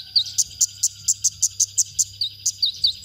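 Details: Konin singing on a songbird-training masteran: a string of about a dozen crisp, very high chips, some interrupted by short falling whistles, with steady low background noise.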